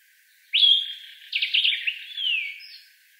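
Sombre Greenbul song: a loud, clear whistle, then a quick burst of liquid chattering notes, ending in a slurred, falling whistle. No other sounds.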